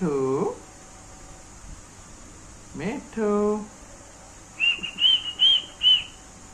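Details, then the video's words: Pet green parrot talking indoors: a couple of short harmonic speech-like utterances, then a series of four clear whistled notes rising and falling, over a steady background hiss. "muggo apny mood me talking krty hwe"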